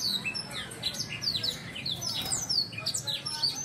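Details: Black-throated canary tutoring song for training birds: a quick stream of thin, high whistles and chirps, many sliding downward, delivered in an unbroken chattering flow against a soft background rumble.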